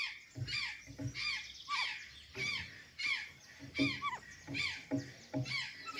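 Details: Azure jay at Santa Catarina, feeding on banana and sweet potatoes; harsh squawking calls with downward-sliding notes, repeated roughly every second and somewhat irregular, with faint low background noise.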